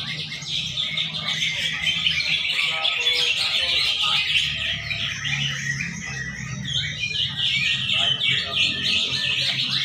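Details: Greater green leafbirds at a songbird contest in Banten on Sunday 11 February 2024 pour out dense, bright chattering song full of quick high chirps and whistles, several birds overlapping, over a low hum and murmuring voices.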